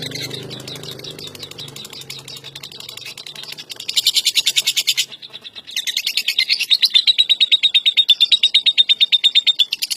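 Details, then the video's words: World-champion lovebird (Agapornis) in full song: a blur of high, scratchy twittering over a low background drone, then bursts of loud rapid pulsing notes, a short pause, and a steady fast trill. "SUARA BURUNG LOVEBIRD JUARA DUNIA"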